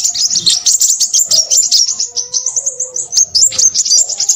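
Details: Short burst of crimson sunbird song: hurried, piercing high twitters pulse several times a second. Faint level low whistles, apparently from another source, are heard in the middle.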